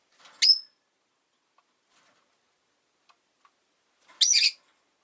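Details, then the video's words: Rosy-faced lovebird, one of five kept caged by a window, giving two short sharp high chirps about four seconds apart, with near silence between. "冬とか関係なく良く鳴く子【Lovebird Chirping Sounds"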